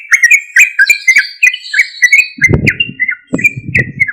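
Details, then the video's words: Loud sooty-headed bulbul song used as a lure for other bulbuls; fast, bubbly whistled phrases repeated steadily, with low thumping knocks in the second half. "Suara Trucuk Gacor Keras MUJARAB untuk PANCINGAN trucuk Bahan atau Macet agar Langsung Respon"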